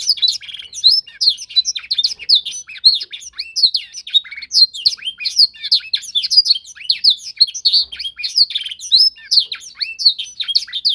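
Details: Canary song from a young bird in a singing training session where it learns to copy a tutor's song: continuous, dense, fast-paced warbling of high chirps, rolling trills and sweeping notes without pause.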